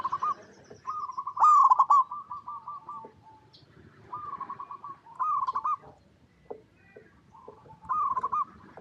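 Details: Local zebra dove song used as a lure to get other zebra doves singing: staccato cooing phrases near one pitch, each opening with a louder rising note, then rapid rolled coos, repeated every one to three seconds with quieter overlapping phrases.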